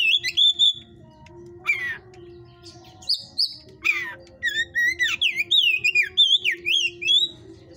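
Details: Caged white-rumped shama, hot type, from a breeder's pen, singing lively varied phrases: high whistles, harsh descending rasps, then a long rapid series of warbled looping notes rising and falling.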